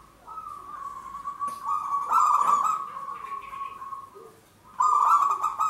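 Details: Zebra dove of a local strain, kept as a trapping lure, cooing in long drawn-out trilled phrases with a harsh, rich tone, one running nearly three seconds before a brief gap and a fresh outburst.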